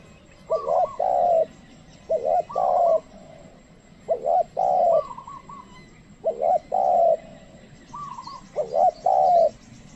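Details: Trained spotted dove used as a lure to call wild doves, which do not come close; a pair of husky cooing phrases repeated about every two seconds, each a short note then a longer rolling coo, with faint rural background noise.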